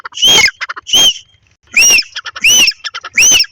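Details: Grey francolin of a breeding pair in a field, giving loud grating squawks about twice a second, each arched in pitch, separated by quieter rattling ticks.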